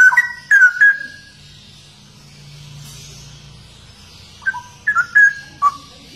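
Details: Straw-headed bulbul, known locally as cucak rowo, giving short bursts of loud, liquid whistled notes, slurring up and down, then a pause of a few seconds with only a faint low hum before another bubbling burst.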